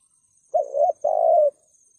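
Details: Spotted dove in the 'thúc gù' cooing style, used to draw in wild birds: one low, mellow phrase made of a brief coo and then a longer, sustained, gently falling coo, over a faint high whine.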